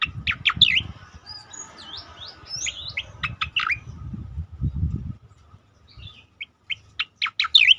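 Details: Striated grassbird singing as a master recording for training other birds: rapid chattering phrases and looping whistles, a pause with faint chirps, then sharp repeated notes, over low rumbling noise in the first half.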